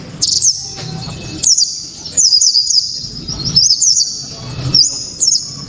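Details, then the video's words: Loud and clear Japanese white-eye song used to spur other white-eyes to sing: high thin twittering phrases, each with rapid wavering notes, repeated about once a second with short pauses. "Pleci kaca mata‼️tembakan‼️penuh sensasi‼️ pleci bakalan ❓ pasti langsung ikut Gacor"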